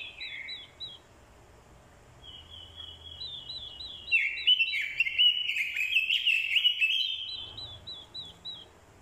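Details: Orange-headed thrush decoy bird, provoked by a female's call into fighting song: soft, repeated squeaky notes lead into a loud burst of fast, varied warbled whistling lasting about three seconds, then the faint squeaky notes return.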